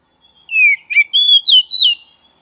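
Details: Song of an Oriental magpie-robin, used to stimulate untrained young and spotted 'trotol' birds: a drawn-out falling whistle, a short harsh burst, then clear sustained and warbling whistled notes in a quiet setting.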